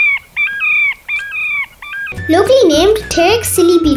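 Terek Sandpiper giving four quick, clear whistled notes, each with a slight upward lilt, before a man's voice and music take over.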